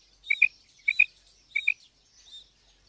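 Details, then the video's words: Female quail giving three high, sharp double notes about half a second apart, followed by a fainter single note, against a quiet background. "Madi batair ki awaz female Quail sounds"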